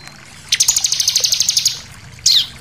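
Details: High-pitched rapid trill of about fourteen even notes from a Bar-winged prinia, used as bait to make other birds sing, followed after a short gap by a single falling note.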